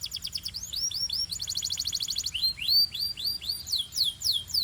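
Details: Belgian canary singing a fast run of high, sharp repeated syllables, moving into a buzzy rolled trill and then a series of downward-curving whistled sweeps, each note quickly repeated.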